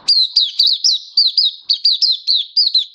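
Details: Continuous bright song of an oriental white-eye hobby bird, 24 February 2023, with sharp, high, down-slurred chirps delivered rapidly and almost evenly, about four notes per second.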